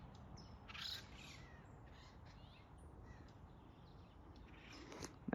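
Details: Acorn woodpeckers from a family living at the top of a tree beside a home, zooming between trees and calling to another tree: a few short harsh calls near the start and one near the end, over a steady background hiss.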